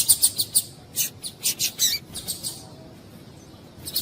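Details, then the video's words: Female coleiro (Double-collared Seedeater) calling to excite males: a fast string of high chips and short chirps for two and a half seconds, then near quiet, with one final chip. "Piado de Fêmea de Coleiro para Esquentar Coleiro"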